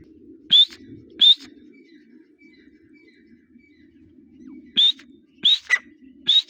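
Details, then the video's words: Teetar, or grey partridge, in breeding season giving a few isolated sharp rising whistled notes with long gaps, over a steady low hum. "Partridge birds voice | teetar awaz"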